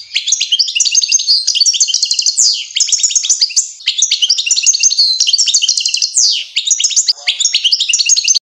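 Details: European goldfinch singing as fledglings feed, a sustained, lively twittering of rapid high notes mixed with trills and several descending buzzy sweeps, with light clicking sounds in the background.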